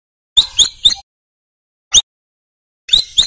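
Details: Brown-throated sunbird, called kolibri kelapa manggar, singing for a training recording. Groups of two or three sharp, high, slightly downslurred chirps are separated by pauses.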